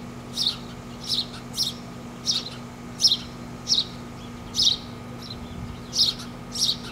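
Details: Begging from four baby birds being fed by their parents in a tree: brief sharp high chirps repeated at an uneven, quick pace, with a constant low background drone.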